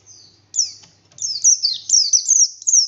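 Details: Oriental white-eye of the buxtoni form, known as pleci, singing in forest 'ngalas' style with forceful 'nembak' notes: high thin whistles sliding downward, repeated in quick overlapping phrases.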